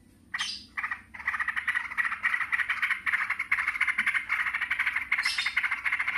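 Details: Noisy yellow-vented bulbuls answering each other: after a few separate harsh notes, an almost unbroken stream of rapid buzzy chatter, with high squeaky notes at the start and near the end.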